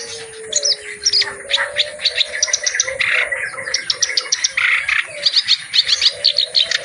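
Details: Reed warbler in energetic full-repertoire song meant for tutoring other birds: rapid scratchy chatter broken into short bursts, with ticking high notes and brief whistled phrases above faint low tones.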